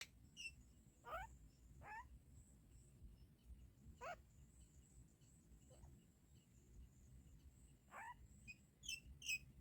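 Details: Myna nestlings, siblings, one lying on another while eating food; a few short rising squeaky calls scattered over ten seconds with pauses between, over a low steady background rumble.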